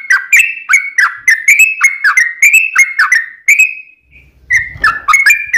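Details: Yellow-vented bulbul in long, energetic fighting song meant to make other bulbuls respond: quick bubbly whistles that slide down and up in a bouncing rhythm, a brief pause, then more.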